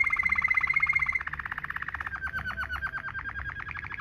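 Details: Domestic canary singing a Waterslager-style rolling tutor song: a rapid bright trill shifts to a softer, lower roll, then to a hollow bubbling roll of quick repeated notes.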